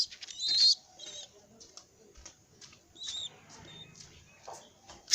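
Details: Baby pigeon walking around, giving thin, high squeaky calls in scattered bursts, with faint scuffling and tapping noises in between.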